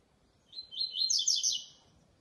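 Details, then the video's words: A double-collared seedeater sings one quick, bright phrase of high chirping notes that run together into a rich trill, lasting just over a second with near silence around it. "Coleira canto especial, SHOW de canto"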